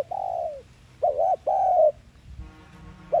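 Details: Thúc gù lure cooing of a spotted dove, meant to spur captive birds to call: a long sliding coo, then a humped note and a drawn-out coo, with a faint buzzing hum near the end.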